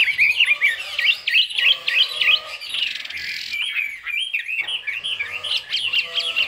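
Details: Vietnamese caged Chinese hwamei singing 'cao cầu': bright upward-flicked whistles repeated several times per second, then a short buzzy burst and more sliding notes, with a faint lower harmonic call from another bird beneath.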